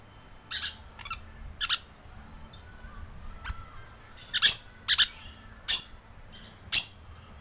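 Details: Rainbow lorikeet lure sound: a run of piercing, scratchy shrieks, softer and scattered at first, then louder, closer-spaced screeches in the second half.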